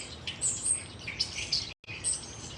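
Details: A European starling sings a fast, varied jumble of high squeaky whistles, clicks and rasping notes, changing every fraction of a second, with a faint hiss underneath; male song used to repel territorial rivals, complex and able to mimic other birds.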